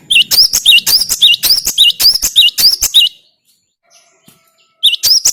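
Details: Gelatik batu or cinereous tit, song for getting a kept bird to sing: a long string of sharp high paired whistles repeated briskly, a short silence, then the phrase starting again.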